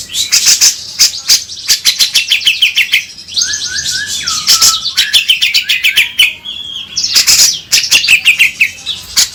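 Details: Grey-cheeked bulbul song meant to spur a bird into lively singing: continuous rapid, high chattering trills interleaved with short lower whistled slurs and repeated crisp clicks, busy and energetic throughout.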